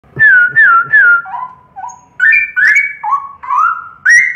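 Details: Straw-headed bulbul singing loud, rich whistled phrases: three downslurred notes repeated about every 0.4 seconds, then lower mellow notes alternating with higher clear whistles in a jumpy, bubbling pattern.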